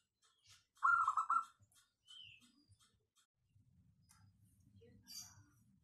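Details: Local zebra dove voice, clear and dense, used to stir other doves to sing: one brief bubbling coo trill early on, then quiet with a faint whistle and low rumble.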